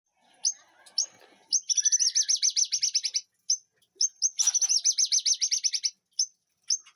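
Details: White-rumped shama in a backyard garden aviary singing two long, rapid, bright trilled series, each about a second and a half, with short sharp whistled notes between them.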